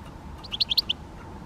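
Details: Great spotted woodpecker (Dendrocopos major): a quick burst of five sharp, high, clicky notes packed into half a second, each note short and emphatic, over a faint low hum of background noise.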